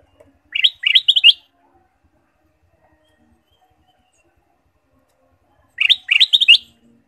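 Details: Ruby-throated bulbul singing vigorously, a varied song used as a lure for caged birds: the same quick, rippling, bubbly phrase of about five notes, given twice about five seconds apart, with quiet between.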